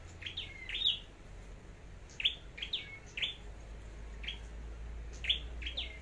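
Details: Flowerpecker for song contests and decoy work, Long Thành, Vietnam: clusters of bright high chirps with downward-slurred tails, spaced irregularly, over a low steady hum.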